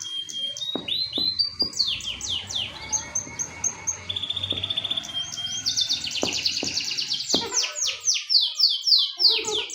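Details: Canary in full song: rapid high trills and descending sweeps, buzzy rolling phrases and a steady whistled note, repeated about four times a second; faint low clicks underneath.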